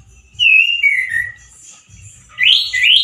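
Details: Caged male orange-headed thrush giving loud wild-style song: a long descending whistled slur, a pause, then two bright rising whistles.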